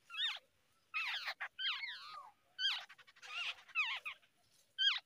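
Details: Babblers feeding their young in the early morning: a busy run of wavering, whining calls with bent, sliding tones, mixed with rough, scratchy bursts, coming in quick clusters for about five seconds.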